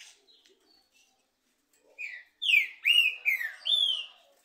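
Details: Trinca-ferro (green-winged saltator) in a two-bird singing dispute: faint scattered notes give way to four or five loud, rich whistled slurs, some rising and some falling, in rapid sequence.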